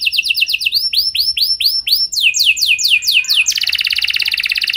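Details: Canary singing a luxurious lure song meant to prompt other canaries to answer: rapid rolling trills of rising, slurred notes repeated in tours, shifting pitch every second or so, ending in a fast, buzzy high roll.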